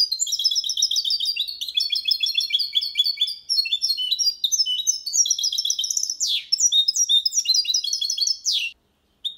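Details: Hybrid of goldfinch with canary delivering clean Malaga copy song meant for chicks to memorize: dense, sparkling high twitters and rolling trills, with two sharp downward sweeps near the end before a brief silence.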